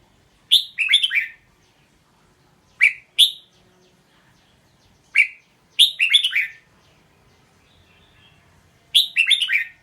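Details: Red-whiskered bulbul delivering a string of song phrases: lively, liquid warbles of four or five quick notes, alternating with single or paired sharp whistled chirps, spaced every one to three seconds in quiet surroundings.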